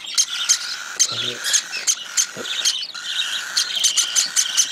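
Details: Cockatiel chick being hand-fed, giving rapid raspy begging calls in quick bursts over a steady high tone, with a brief low human voice in the background.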